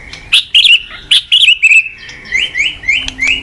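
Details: Singing white-rumped shama, recorded as tutor song for other shamas: a run of clear bright whistled notes, then a series of rising upslurred whistles repeated about twice a second.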